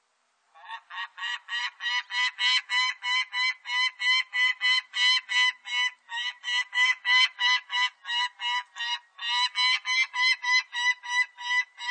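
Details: Peregrine falcon (Falco peregrinus), call.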